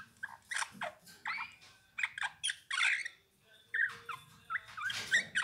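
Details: Song of a Eurasian bullfinch: choppy phrases of creaky, harsh notes mixed with short whistled glides, broken by brief quiet gaps.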